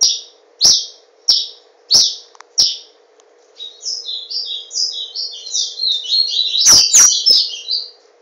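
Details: Papa-capim seedeater kept in a cage in Garanhuns, Brazil: five separate sharp chirps about every two-thirds of a second, then a long fast jumbled warble of high buzzy notes, with cage clicks and low hum.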